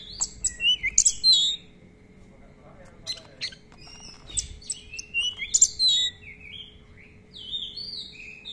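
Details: Actively singing Oriental magpie-robin, a lure track of long rolls and plentiful fill-in song for tutoring: clear whistled slurs and crisp chirps in short phrases separated by brief pauses, with a steady faint background hum.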